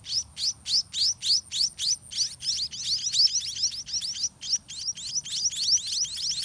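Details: Nestling white-rumped munias begging as a parent feeds them, fast, evenly spaced high chirps, each a short upward sweep, about three to four per second, forming a steady chittering chorus.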